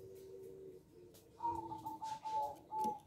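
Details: Local zebra dove with a small voice, singing actively: short soft coos near one pitch in a broken run after a quieter stretch, with a lower steady cooing tone underneath.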